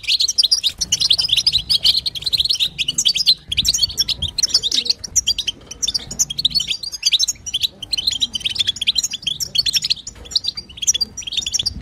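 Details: Female European goldfinch batbata sounds used to coax a male goldfinch into singing: a long, busy stream of high, tinkling twitters and buzzy trills with brief dips, over a quiet low hum.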